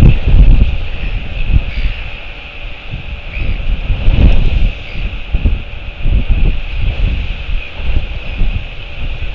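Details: Strong wind buffets the microphone in low, rumbling gusts, with no clear calls.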